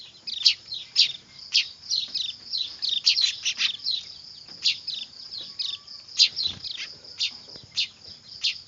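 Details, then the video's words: Noisy weaver chicks, a recording used as a bird lure: dense, harsh high chirps burst out every half second or so over a steady high insect-like hum. "Suara anakan burung manyar ribut"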